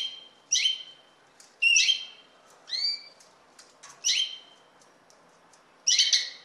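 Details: Six clipped calls from a common linnet, some dropping and others slurring upward, in an uneven series of bright, twangy chirps over faint background hiss.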